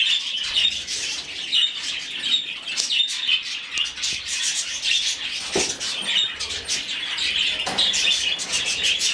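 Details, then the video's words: Rescued budgerigar chick being hand-fed, giving continuous raspy, buzzy begging chirps in rapid pulses, with occasional soft clicks and handling knocks in a small indoor room. "Выкармливание птенца волнистика"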